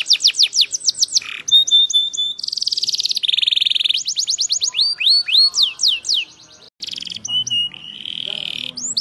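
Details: Yorkshire canary delivering a varied song: quick descending sweeps, steady whistled tones, nasal buzzy rolls and a rapid trill, with a brief pause and quieter chatter near the end.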